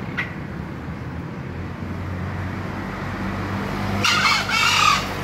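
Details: Green junglefowl crow: a quick, scratchy two-part call near the end, after a faint earlier note, over a persistent low rumble.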